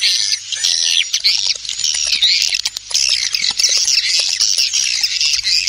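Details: Swiftlet calls with wing flapping, played to attract swiftlets: a dense, unbroken mass of high, rapid twittering chirps from many birds, with constant fluttering and no pauses.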